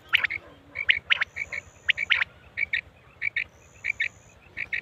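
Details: Quail call from a Mianwali hunting recording of batair calls, used to lure quail: short sharp chirps given singly and in quick pairs, about a dozen notes, with a faint steady high whine running behind.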